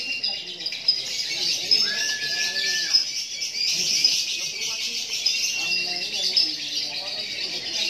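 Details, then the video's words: Fighter-class lovebird, recently moulted, performing on a contest hanging pole: a dense, unbroken stream of shrill, high chattering chirps runs through the whole stretch, with a short steady whistle-like tone in the middle and faint voices beneath. "Lovebird Fighter"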